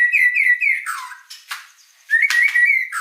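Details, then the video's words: Strongly singing white-rumped shama: a run of bright repeated whistles, then a lower slurred note, a few sharp clicks, and a fresh burst of ringing whistles. "Suara Burung Murai Batu Gacor"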